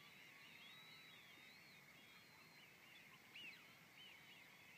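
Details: Evening flock of some two thousand Golden Plovers arriving at Middle Scrape, RSPB Frampton Marsh, heard as a dense, distant chorus of plaintive whistles, some gliding up and down, with a brief sharper note past three seconds.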